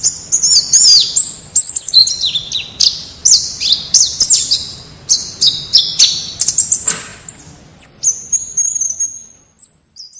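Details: White-eye in wild-style song for training captive birds: energetic high twittering of down-swept whistles and rapid chips that thins out, ending in a few long level whistles and fading silence.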